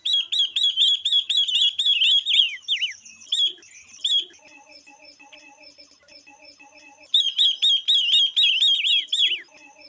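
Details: Female Chinese hwamei singing to stimulate males, with another female songbird present: long, loud runs of rapid, high, chattering notes ending in downslurred whistles, separated by a softer, lower repeated series.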